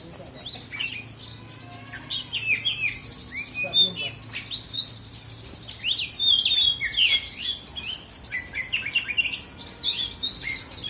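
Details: At a songbird contest in South Aceh, Indonesia, an Oriental magpie-robin (kacer) of black-and-white type pours out a long, varied stream of sharp whistles, trills and buzzy chips, loud bursts alternating with quieter phrases.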